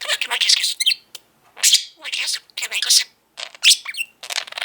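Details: Male pet budgerigar that talks almost nonstop, even between quick breakfast bites, indoors: fast, squeaky speech-like phrases in short bursts separated by brief silences.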